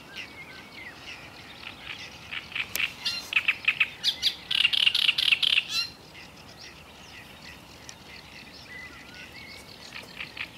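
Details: Black-necked grebe with a loud run of fast, sharp, high-pitched notes in the middle, then several quieter seconds with only occasional faint chirps outdoors.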